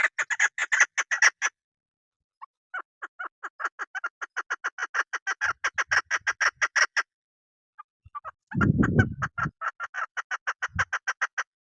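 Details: Hunters' female chukar partridge, repeatedly bursting into quick series of grating chuk notes. Brief pauses hold single clucks, and a loud low rumble briefly cuts in near the end.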